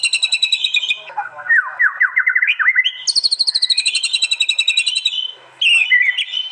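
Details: White-rumped shama in fierce 'tembakan' burst song at a song contest, East Java, Android phone recording compiled into a master track: rapid buzzy trills near high pitch, a descending zigzag run of slurred notes, then a long stacked rapid rattle.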